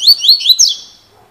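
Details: Coleiro, a double-collared seedeater of 'fibra' type, delivering a loud, brisk run of four upward-slurred whistled notes, high and clear, fading into a short trailing tail with no other sounds.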